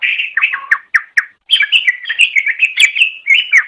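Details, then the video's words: Greater green leafbird in full song, meant for training pet birds: dense, rapid medley of sweet slurred whistles and chattering notes with sharp high accents, almost without pause. "Suara Burung Cucak Ijo"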